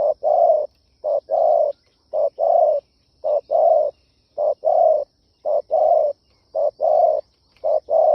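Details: Spotted dove giving a steady run of paired coos, a short note then a longer one, repeated about once a second. The call is promoted as ideal for stirring decoy birds. The setting is otherwise quiet.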